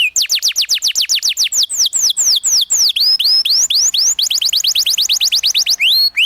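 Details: Canary singing a master song used to train young canaries, a rolling trill style: rapid, loud series of downward-sweeping whistled notes, about four per second, shifting to rising slurs and then a faster rolling trill.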